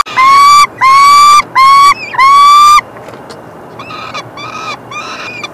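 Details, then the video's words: Peregrine falcon chicks begging as the male feeds them on 3 June 2024. Four loud, harsh screams of about half a second each, then quieter, fainter repeated cries trailing off. "(le mâle) nourrit les fauconneaux"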